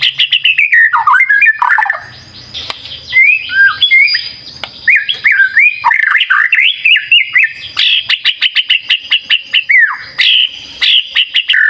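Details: Vigorous lure song of a white-rumped shama: fluid whistled phrases that wander up and down, then a long rapid series of sharp repeated ticking notes and a few final whistles.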